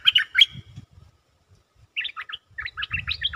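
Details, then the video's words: Lure-singing stripe-throated bulbul in a cage: a short phrase of rich chirped notes, a pause, then a longer tumbling run of warbled notes, with soft low knocking sounds underneath. "Suara pikat merbah lekir gacor"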